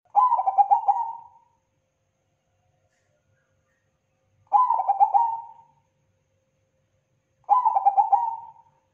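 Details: Zebra dove, a crossbred Bangkok-type perkutut, from a long-running tutor recording of lively song. Three similar cooing phrases come roughly every three to four seconds. Each is a quick series of clipped notes flowing into a drawn-out fading coo. There is no background noise.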